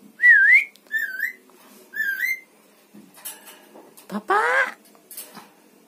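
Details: Javan myna known for copying words like bapak and mamak and for whistling: three quick wavering whistles in succession, then softer noises and a harsh burst of voice-like sound near the end.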